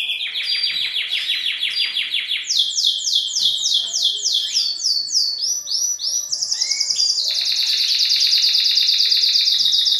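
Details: Male canary's stimulating courtship song toward a female, intended to trigger mating posture; rapid repeated descending notes in successive tours, rising higher, ending in a loud sustained high trill.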